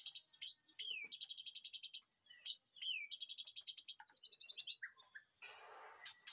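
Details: White-rumped shama in a backyard aviary, afternoon, master song for training: upslurred and downslurred whistles alternating with fast buzzy rattles, a jumble of quick notes, then a rustling noise near the end, with constant high hum.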